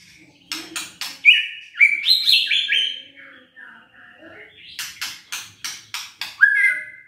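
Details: Song of the white-rumped shama, played to coax quiet birds into singing: clicking bursts lead into bright descending whistled notes, a short lull, then rhythmic harsh clicks and a final clear whistle.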